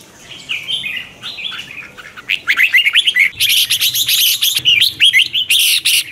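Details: Morning training song of a red-whiskered bulbul, twisting-voice style, used as a lure and to excite wild-caught birds. Soft scattered whistles open, then from about two seconds a loud, fast run of sharp chirping notes.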